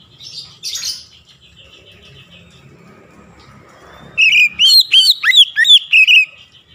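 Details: Oriental magpie-robin singing to provoke rival magpie-robins: after a brief hiss and a long quiet stretch, a fast burst of sharp, varied whistled notes and chips, about three per second, for around two seconds.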